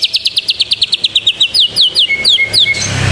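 White-rumped shama delivering a canary-like song: a fast rattle of high, downslurred chirps, about eight per second, easing into slower ringing whistles.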